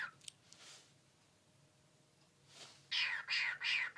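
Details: Pet cockatiel makes a quick run of hissy, bursting "shooting" noises, about three per second, in his favourite game of shooting back when a finger is pointed at him.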